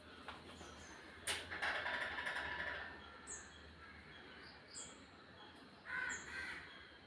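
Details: Crows making noise as they eat food, a series of rough caws in uneven bursts with pauses between them, plus some brief higher chirps.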